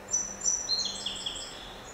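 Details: Song sparrow (Melospiza melodia) singing at a house window: a quick run of thin, high whistled notes that slide and overlap for under two seconds, fairly soft over a light background hiss.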